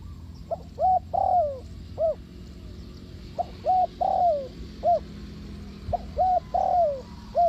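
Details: Spotted dove used as a lure for trapping doves, giving short hooting coos around 700 in phrases: a few quick notes then a longer falling slurred coo, repeated in three groups across the stretch.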